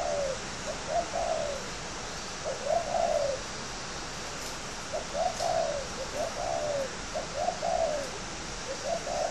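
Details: Spotted dove of the contest kind at a bird garden in Ba Vì, northern Vietnam, cooing steadily: runs of soft, low, rounded notes grouped in phrases, with faint background ticks.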